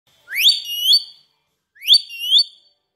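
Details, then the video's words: Pet parrot, called tota or mitthu, giving two loud rising whistled phrases about a second and a half apart. Each phrase swoops upward and then holds a clear, rich tone, set against otherwise quiet surroundings. "Mitthu Mitthu Mitthu / Mithu Mithu Mithu / Tota Tota"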